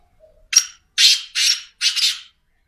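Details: Black francolin (teetar) calling against a clean, quiet background: one short harsh note, then three longer rasping, grating notes, the whole phrase lasting about two seconds.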